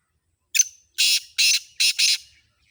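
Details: Black francolin (kala tetar), Sindhi type: a short sharp note, then a run of loud, harsh, grating bursts, the last two joined closely, in a clean, quiet setting.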